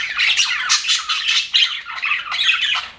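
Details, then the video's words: Budgerigars in an aviary, described as happy, fill three seconds with busy overlapping chirping and harsh warbled squawks that pulse in quick bursts, with no other sounds. "HAPPY BUDGIES SOUNDS"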